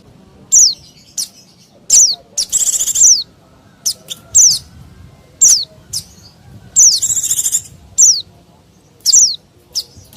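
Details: Lure recording of a noisy white-eye: repeated thin descending whistles every second or so, broken by two bursts of rapid buzzy trilling, against faint low rumble.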